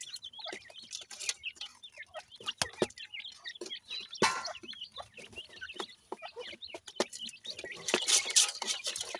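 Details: Iranian francolin chicks eating and squabbling with their mother, giving a steady stream of thin, high cheeps and short twitters over scattered clicks and rustling, with a loud burst of hiss near the end.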